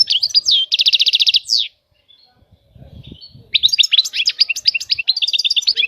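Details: Bright goldfinch song opening with a rapid high trill of repeated notes and a slurred whistle. A short pause with faint low knocking follows, then a long burst of fast, jangling twitters.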